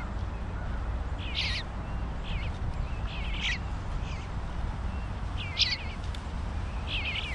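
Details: Three eastern bluebird fledglings, brothers, eating together; short chirpy calls at mid-high pitch, some warbled or doubled, given in small bursts every one to two seconds, over a steady low rumble of wind or background noise.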